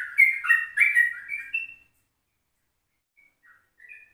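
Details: Yellow-vented bulbul in a morning recording made at 04:30, used as a lure for other birds: a tumbling burst of warbled whistled notes lasting under two seconds, then a pause and a few soft, distant notes.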